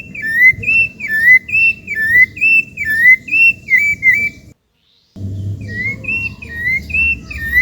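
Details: Rufous-bellied thrush in natural habitat, Brazil: a steady run of clear whistled phrases, each swooping up and down, repeated about once a second, with one brief silent cut and low background rumble throughout.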